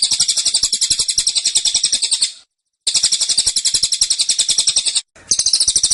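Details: Velvet-fronted nuthatch in a cage delivering repeated tembakan bursts, dense and insistent: three high, rapid, chattering trills separated by short gaps, each steady in pace and pitch.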